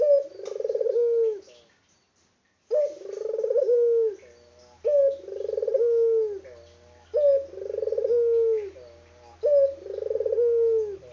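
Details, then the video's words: A very vocal local Barbary dove cooing: a sharp opening note, then a rolling, throaty coo of about a second and a half that ends in a falling note, repeated every two to three seconds. "BURUNG PUTER LOKAL GACOR ISTIMEWA"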